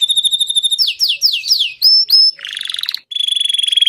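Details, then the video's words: A Belgian king canary sings fast: a bright rattling trill, four quick downslurred sweeps, two clear whistles, then a buzzy roll and a rapid high trill. "Canário belga rei cantando disparado/Belgian king canary singing"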